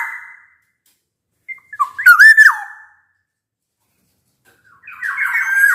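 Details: Energetic black-naped oriole singing, recorded as a lure for orioles that will not sing: a trailing whistle, one full warbled fluty phrase with a drooping end, then a harsh buzzy chatter.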